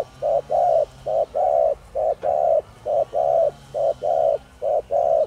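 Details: Spotted dove with the 'thổ đồng' voice, calling to provoke wild doves; a fast unbroken sequence of mellow low coos, a short note then a longer one, repeated evenly throughout.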